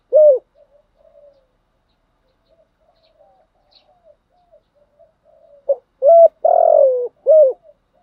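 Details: Spotted dove coo used to lure and stimulate wild doves; one mellow coo opens, then faint soft murmurs, and near the end a phrase of short note, clear coo, long rough burring coo and closing falling coo.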